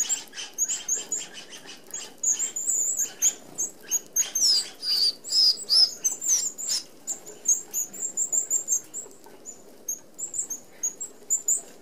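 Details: Flock of Red-browed Finches, an Australian native, feeding together at an open aviary feeder with fine mesh; many very high, thin, short peeping calls overlap in a busy chatter, mixed with soft fluttering and scratchy rustles.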